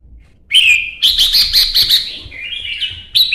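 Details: Red-whiskered bulbul, a caged songbird in Vietnam, singing in a singing contest: loud clear whistled phrases, a bright rising note followed by rapid warbled notes and a lower sliding whistle, very close and clean.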